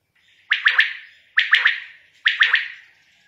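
A quail gives a sharp, liquid three-note call, repeated three times a little under a second apart, with nothing else audible.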